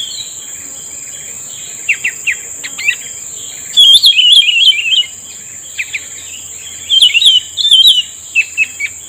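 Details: Trapped with a lure, a cucak rumbai tungging gives two loud, bubbling whistled warbles about three seconds apart, with soft chirps before and after and a continuous shrill electronic tone underneath.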